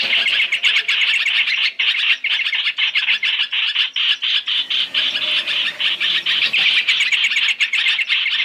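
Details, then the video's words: {'caption': 'Black-throated laughingthrush lure for trapping, three in one. Sharp high notes stream out at a rapid pace, about four each second, forming a loud continuous chatter with short dips.'} "Tiếng chim hoành hoạch (trao trảo) mồi 3 trong 1 chuẩn để bẫy"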